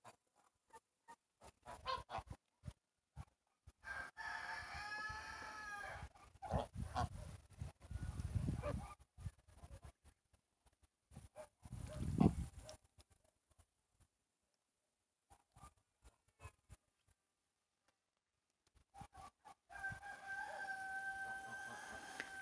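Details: Chickens: roosters crow in drawn-out, harmonic phrases, mixed with nearby talking and rustling, at a garden plot in Siberia where geese also roam.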